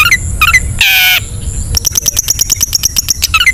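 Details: Ngetet song of a long-tailed shrike, meant to lure reluctant shrikes into singing: short slurred whistles, a harsh grating burst, then a fast run of sharp ticking notes.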